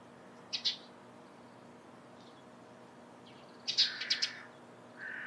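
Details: A Eurasian tree sparrow in the morning gives a sharp chirp, then a quick cluster of three or four bright notes after a pause of about three seconds; a lower, steady whistle-like tone appears at the end.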